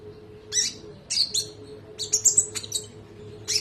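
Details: Konin singing on a recording meant to teach other birds: a few loud, high, abrupt chirp bursts, closely grouped toward the end, with a faint steady hum in the background.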